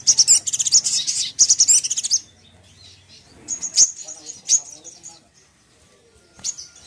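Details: Little spiderhunter song to provoke a rival into anger: two rapid bursts of piercing high chirps, then spaced single sharp notes.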